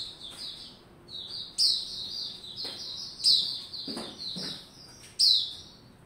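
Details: Caged white-rumped shama building form, 27 December 2021: overlapping high whistled notes that fall in pitch, loud clicky accents about every one and a half seconds, and soft low thumps in the background.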